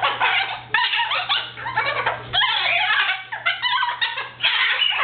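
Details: Captive male cockatoo indoors, a talkative pet said to mock its owners by imitating 'stop it', 'ouch' and laughter after biting. Dense raspy chatter and cackling, laugh-like squawks pour out almost without pause.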